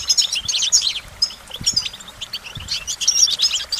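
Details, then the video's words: Goldfinch song of rapid high trills and tinkling chirps in bunched phrases, bright and steady, with faint low knocks in the background. "Goldfinch Motivation Performance"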